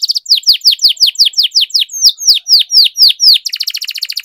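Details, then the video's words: Canary performing long rolls for song training: a steady chain of loud, high, downward-sweeping whistled notes, about four per second, ending in a fast, dense buzzing trill. "Canary Singing Training, Kenari Gacor Ngerol Panjang, Pancingan Kenari Macet, Masteran Kenari Paud"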